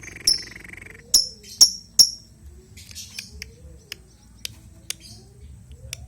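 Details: Albino lovebird giving sharp, high chirps in quick bursts, four loud notes early then fainter scattered clicks, over a low background hum.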